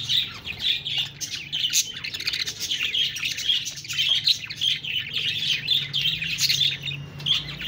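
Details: A group of budgies giving busy, high-pitched chattering: rapid overlapping chirps and short warbled phrases that run without pause, mixed with scratchy squeaks and a faint low hum beneath.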